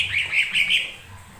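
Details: Lesser green leafbird singing to provoke other birds into song; a short burst of four quick, warbled chirps strung closely together.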